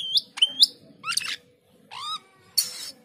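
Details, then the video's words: Male Asian glossy starling, actively singing, building a song of sharp rising chips, raspy rattling bursts and a harsh buzzy chatter, with a faint low hum in the background. "Cucak keling jantan gacor menyusun lagu"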